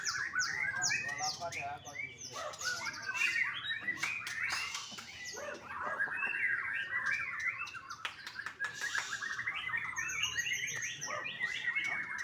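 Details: Young white-rumped shama from a Bali bird farm singing a dense, varied run of whistles, chirps and harsh squawky notes mostly between one and four kilohertz, with clicks and rattles mixed in throughout.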